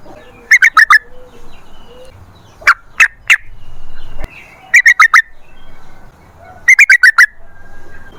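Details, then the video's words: Yellow-vented bulbul sounds used to lure other bulbuls into song: short clusters of three or four quick chattering notes separated by pauses, with isolated louder notes between them. "TRUCUKAN GACOR Ropel Panjang Buat PANCINGAN TRUCUKAN Agar Bunyi"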